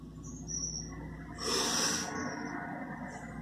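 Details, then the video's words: Black vulture chicks at their nest: one loud, breathy, broadband hiss lasting about half a second, over a steady thin high whine and a low background hum. "Filhotes de urubu-de-cabeça-preta (Coragyps atratus)"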